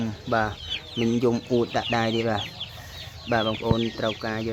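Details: Tame waterhen kept as a decoy calls while its owner touches it. Several deep, resonant notes follow in quick pairs, then a quiet gap, then another loud burst of calls.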